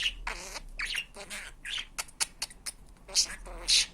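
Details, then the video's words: Talking pet budgerigar chattering imitated Turkish words like "iyi günler": scratchy, hissing syllables mixed with sharp high clicks and squeaks, uneven in rhythm, with a low hum underneath. "Muhabbet Kuşu Konuşturma Sesi-Hani Benim Fıstığım Benim Aşkım, İyi Günler"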